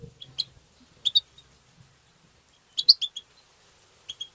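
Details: European goldfinch song used to stimulate goldfinches: short bursts of bright, high twittered chirps at about 0.4, 1.1, 2.8 to 3.2 and 4.1 seconds, separated by quiet gaps, over a faint low hum.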